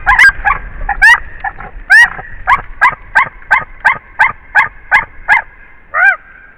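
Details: White-tailed eagle pair on a nest camera in Durbe county, Kurzeme, Latvia, during a failed mating attempt with an angry female, giving about fifteen shrill, yelping notes, two or three a second, with a final note after a short pause.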